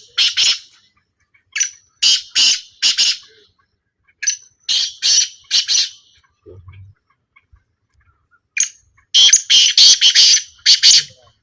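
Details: Harsh, scratchy calls of a black francolin in a 2025 calling trial, delivered as clipped bursts in runs of three or four, separated by silent gaps, ending with a faster sequence of rasping notes.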